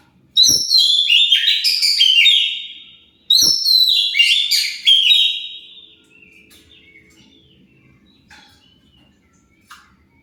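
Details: Oriental magpie-robin singing to provoke rival birds to answer; two loud, dense warbling phrases of mixed whistles, then softer scattered chirps in the background.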